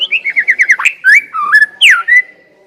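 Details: Lure song of a white-rumped shama, meant to get another shama singing fast: a run of about seven quick repeated whistled notes, a sharp burst, then sliding whistles ending on a falling, drawn-out tone.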